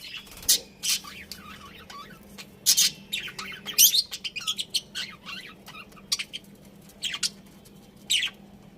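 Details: Pet budgies in lively chirping: sharp tweets and squeaky warbles, thickest around the middle, then sparser single chirps, over a steady faint hum.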